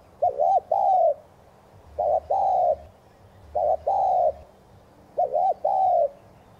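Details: Spotted dove thúc gù coos to spur newly caught doves into cooing: four paired phrases, a quick wavering double note then a steady hollow coo, spaced about 1.5 seconds apart, with faint low hum.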